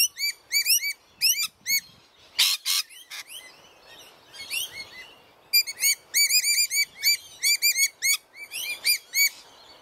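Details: Rainbow lorikeets, a noisy pair at their backyard nest, give shrill repeated chirps in quick runs, with a couple of harsh broadband screeches midway and a quieter stretch before the chirping resumes.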